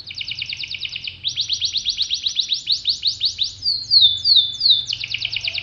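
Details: Caged domestic canary of the pocong type, described as gacor, sings a loud high trilled song: fast repeated rising notes in rapid rows, then shifting to sweeping whistled downslurs and back to quick trills, with a faint low hum beneath.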